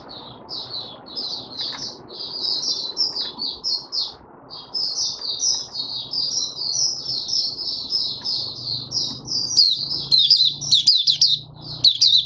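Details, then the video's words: Caged Mata Puteh Raja (oriental white-eye), 'buka sing' open song, fifth day after monthly deworming, 20 January 2022: long run of quick high chirps grows louder and sharper toward the end, with a faint low hum beneath. "Mata Puteh Raja Video 1 buka sing"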